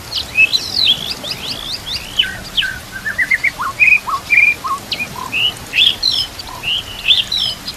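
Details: White-rumped shama master song for training reluctant or young shamas, with trickling water behind: sharp chattering notes, a quick run of rising notes, then spaced clear whistles and slurred phrases.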